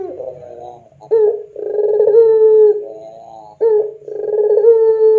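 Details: Pelung Barbary dove cooing as a lure for training doves: alternating rough bubbling passages and long smooth sustained notes, a clipped opening note before each long coo, over a faint steady hum.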